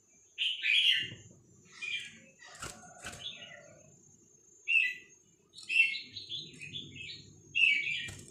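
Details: Vietnamese-type red-whiskered bulbul, song played for teaching young birds and exciting them: a run of short, quieter warbled whistles with a steady high hiss, low rustling and two sharp knocks in between.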